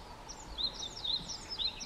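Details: Japanese yellow bunting singing freely on 4 May 2023 at Togakushi Forest Botanical Garden, high, thin, slurred notes in short phrases about every half second over a soft, steady hiss; similar to Black-faced bunting but distinguishable.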